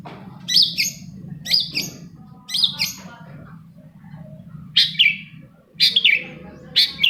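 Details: Long-tailed shrike song meant to trigger other shrikes to sing: harsh, rasping, chattering phrases about once a second, separated by pauses, over a constant low hum.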